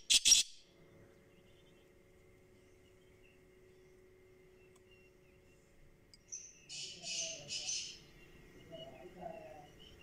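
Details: Black francolin (kala teetar) with a loud brief rasp at the start, a long quiet stretch, then a three-note scratchy phrase. Faint chirps follow, and a low hum runs throughout.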